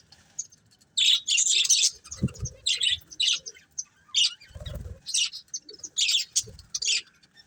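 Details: Breeding pair of colourful budgerigars chirping: bursts of high, scratchy chirps and twitters come in clusters through the recording, with a couple of soft low thumps in between.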